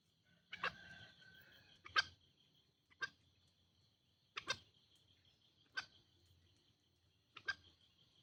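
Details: Lure recording of green junglefowl: six brief, rasping calls roughly every one to one and a half seconds, the first with a drawn-out tail, set against a constant high-pitched insect hum.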